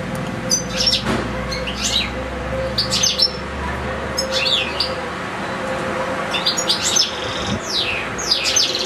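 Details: European goldfinch in a cage, housed with another goldfinch and two small goldfinch-canary hybrids, singing in scattered bursts of sharp high chirps and quick descending twitters separated by short pauses, with constant low background hum.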